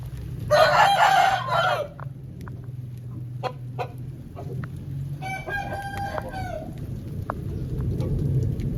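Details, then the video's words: Two crows from an Aseel chicken after rain: a coarse, noisy crow near the start and a cleaner, tonal crow about four seconds later, with scattered clicks and a steady low hum between. "Aseel Bird Sound"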